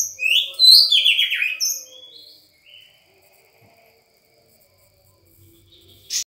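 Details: A Sangir white-rumped shama delivers one loud, tumbling phrase of clear whistles and rattling trills that slide downward, followed by a softer note and then near silence broken by a sharp click at the end.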